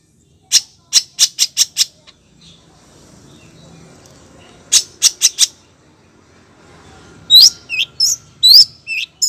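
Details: Long-tailed shrike, a female calling to the male: a rapid burst of six sharp, harsh notes, then a pause, another quick burst of five, and finally a run of short squeaky slurred chirps.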